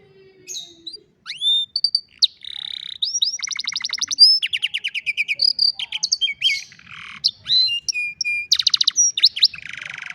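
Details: An old canary's afternoon song: a long continuous stream of high whistles, buzzy rolls and rattling trills shifting between phrases over ten seconds.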